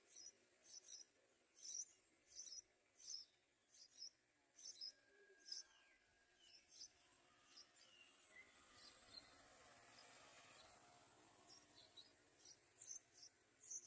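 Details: Yellow-vented bulbul chick waiting to be fed by its mother: high, thin chirps repeated about once a second, then softer and more scattered, over a faint hiss with a few quieter bird notes.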